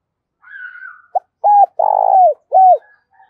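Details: Spotted dove lure call, in the thổ voice style, used to attract wild doves for trapping. A soft drawn-out whistled note leads into a series of loud, deep, hollow coos, with one long rolling coo in the middle.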